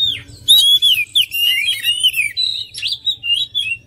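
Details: Oriental magpie-robin song: a loud, fluid run of varied whistled phrases, sliding notes and short chirps, delivered almost without pause over a low hum.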